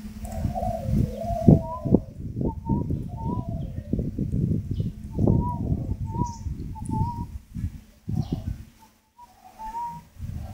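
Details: Spotted dove at a bird farm, described with yellow beak, purple legs, black eyes, green wings and brown breast; soft repeated cooing phrases over a steady low rumble and handling thumps, with brief clicks.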